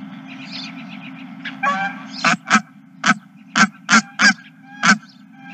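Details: Geese honking at a ranch, March 2023: a soft chatter of distant calls, then a run of loud, abrupt, evenly spaced harsh honks, about two per second, over a low hum.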